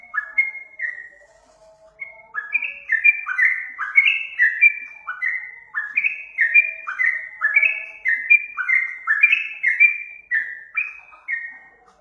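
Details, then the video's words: Yellow-vented bulbul lure song meant to provoke birds into singing, opening with a few whistles, a brief pause, then a long energetic run of bubbly downslurred notes about two per second. "Suara pancingan trucukan"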